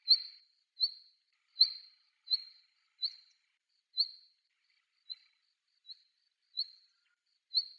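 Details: Female black redstart, a vagrant, calling on Yonaguni Island, Japan: ten short, high, sharp chirps, each a quick upward flick, repeated roughly every 0.8 seconds with slight irregularity; otherwise quiet.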